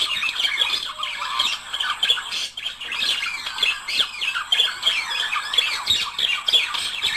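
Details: Budgerigars singing, a couple, meant to encourage breeding; long dense chatter of squeaks and trills, slightly softer mid-way before resuming loud rapid chirping.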